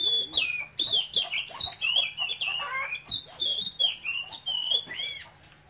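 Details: Cambodian-origin male oriental magpie-robin in a cage, said to sing eagerly and without stopping in a high-pitched voice; a dense run of bright whistles, twisting slurs and scratchy chirps, delivered almost continuously against a faint low hum.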